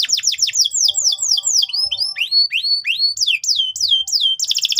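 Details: Energetic canary song played to train young canaries. Loud descending whistled sweeps repeat quickly, shift to rising slurs and sharp upswept notes, and close with a brief buzzy trill.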